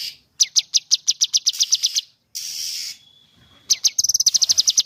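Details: Cucak kinoi delivering its 'tembakan' shooting song, likened to a gun firing: rapid high clipped notes in a fast machine-gun string, a brief rasping burst with a thin held tone, then another quick rattling series.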